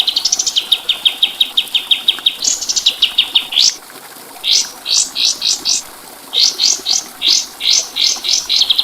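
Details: Training song of a white-eye: bursts of sharp, high chirps in quick runs, some rising and falling in pitch, broken by short pauses, over a soft background hiss.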